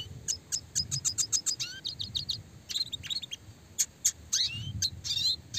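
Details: Red siskin singing its classic clear chattering song for small-bird training, with roll and rapid shooting phrases; quick series of sharp high chips, then rising whistled slurs and buzzy twitters, soft low rumble behind.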